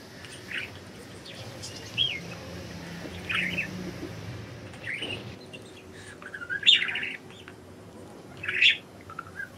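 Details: Budgies out of their cage give sparse chirps: single bright notes early on, then two louder, more complex warbled bursts near the end, over a quiet hiss.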